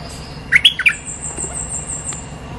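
Streak-eared bulbul giving a quick burst of three or four short, sharp notes, then a long, steady, high thin whine, likely an insect.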